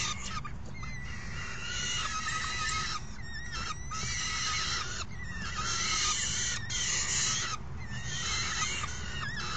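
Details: On 3 June 2018 a raucous crowd of falcon chicks is fed by a parent after the other adult brings in a meal; loud, scratchy screeching calls come in long runs broken by brief gaps, over steady low-pitched background noise.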